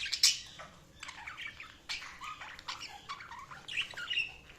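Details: Quiet scattered chirps and squeaky warbled notes from budgerigars against a low background hiss.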